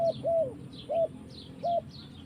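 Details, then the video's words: Spotted dove (tekukur) singing in the forest: four low, hollow coos in about two seconds, the second one longer and slightly falling, with faint high chirps from other birds in the background. "Mantap Tekukur in the forest"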